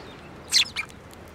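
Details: Sparrow coming for food by a blooming rapeseed field at a Tenmangu shrine, 9 February 2024. Two quick, high chirps, the first louder and longer, the second shorter and fainter.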